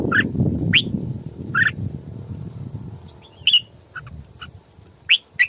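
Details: Female Red-whiskered bulbul kept as a decoy, singing to train other bulbuls and lure them to traps: short bright chirped phrases spaced irregularly across the clip, over a steady low rumble of background noise.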